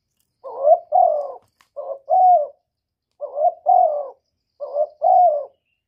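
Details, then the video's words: Four double-note phrases from a spotted dove in 'một hậu ròng' cooing, each a short soft coo followed by a fuller, longer note, spaced roughly every 1.5 seconds in a quiet setting. "cu gáy gọi một hậu ròng"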